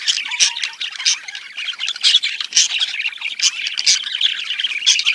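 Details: Breeding-stimulation budgerigar sound: an unbroken flow of harsh chattering squawks and buzzy chirps, fast and irregular, with occasional sharper clicks punctuating the warble.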